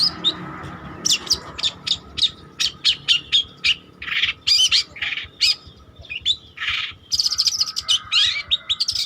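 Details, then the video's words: Long-tailed shrike (cendet trotol) in full song, used as a lure or master song for training: rapid varied chattering of short sharp chips, scratchy bursts and brief trills in irregular runs, with a steady faint hum behind. "Burung Cendet Trotol Gacor Untuk Pancingan atau Masteran Juga Bisa"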